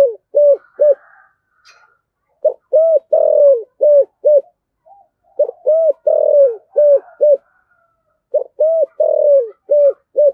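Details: Spotted dove in the Thổ voice style, a decoy bird's call; groups of low cooing notes, each rising then falling, repeated in bursts of four to six with short pauses, a softer longer coo in the middle of each series.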